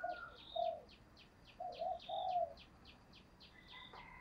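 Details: Vietnamese decoy spotted dove used to draw in wild doves, cooing softly through background hiss: short notes, then a drawn-out coo. Regular high-pitched chirping runs throughout.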